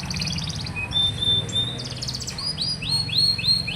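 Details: Tutor recording of a canary singing to stir young canaries that seldom sing. A buzzy rattling tour, a long thin high whistle, then several repeated upslurred chirps.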